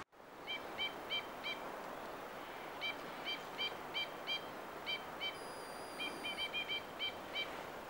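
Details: White-winged (Two-barred) Crossbills, males and females foraging in larches in Sweden, give short, dry chipping calls and trumpet calls in quick pairs and triplets, about three a second, with a thin high whistle and background rustle.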